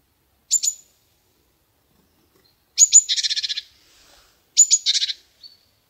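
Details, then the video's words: Chickadee calls in three phrases: first a pair of thin high notes alone, then high notes followed by nine rapid buzzy 'dee' notes, then a shorter version, with a faint thin note at the end. "Chickadee Bird Singing"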